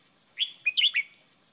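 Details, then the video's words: A caged Red-whiskered Bulbul gives a short, bright trained-song phrase of four liquid, warbled notes rising and falling quickly within about a second, against a quiet background. "เพลงป่า เบิ้ลเบิ้ล เสียงฝึกร้องนกกรงหัวจุก"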